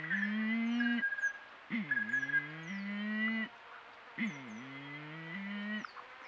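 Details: Malleefowl (Leipoa ocellata) in Patchewollock Conservation Reserve give deep, moaning calls about a second long, some dipping then levelling, repeated every couple of seconds. Female and male both call, the male contorting as he calls. Thin high small-bird chirps sound above.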